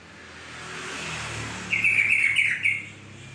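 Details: Trocok, the yellow-vented bulbul, delivers one rippling, gurgling phrase of quick connected notes about a second long, with a passing car rumbling in the background before and during the song.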